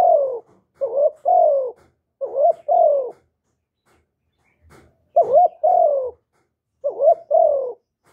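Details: Spotted dove used as a lure for other doves: soft, mellow two-part coos, a short rising hoot then a longer falling note, given in a run, then a pause of about two seconds before the phrases resume, with no background sound.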